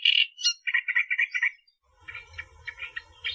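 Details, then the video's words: Australian reed warbler song in a natural tutoring recording: a high opening note, then a run of harsh, chattering notes repeated rapidly, a short pause, then softer churring phrases over a low rumble. "Masteran Burung Kerak Basi Australia Suara Asli Kicauan Alam"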